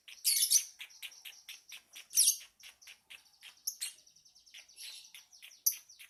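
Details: Lovebird chatter: loud shrill squawking bursts among a rapid, regular series of high, clicking chirps, with occasional thin whistled notes.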